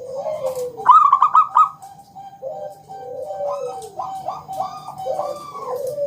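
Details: Zebra dove of local stock, a strong singer used as a lure for other doves, gives one loud rolling trill near the start, followed by a string of soft wavering coos rising and falling.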